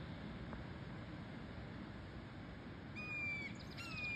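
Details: Baby red-tailed hawks at Sugar Beach, Leo, Indiana, give two thin, high whistled screams that slur slightly downward near the end, over a steady rushing background noise.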